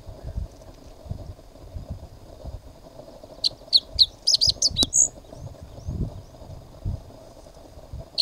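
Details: Kozlov's bunting singing on territory in the mountains of the Tibetan Plateau: a brief burst of about seven high, sharp, clipped notes, ending in a thin whistled note, set against low rumbling background noise and otherwise quiet stretches.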